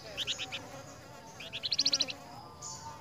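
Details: Flamboyan answering the song of another flamboyan: short bursts of clear, high chirped notes, a few spaced at first, then a rapid run of bright repeated notes, over faint background hiss.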